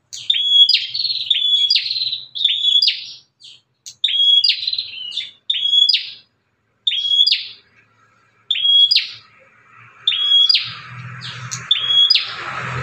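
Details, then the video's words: Fierce Bar-winged prinia outside a cage, calling to lure other prinias; paired sharp notes, each a quick downslur into a flat whistle then a buzzy burst, repeated about every second, later over faint music. "BURUNG PRENJAK GALAK INI SUARANYA BISA BUAT MEMACING BURUNG PRENJAK LAIN"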